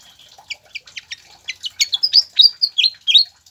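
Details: Masteran recording of a pied fantail for prompting caged birds to sing. Soft squeaky chips quicken into louder, high, sliding whistled notes that rise and fall over a few seconds. No other sounds are clear.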